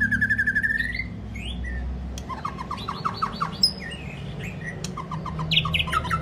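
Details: White-rumped shama singing a long-voiced song, used to rouse and train other shamas: a steady whistled note held near one second, then a rapid run of varied chirps and slurred whistles, over a constant low hum.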